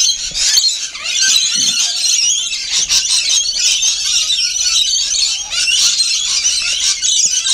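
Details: Noisy, unbroken screeching of a group of rainbow lorikeets while feeding, high and harsh with rapid squeaky notes layered together.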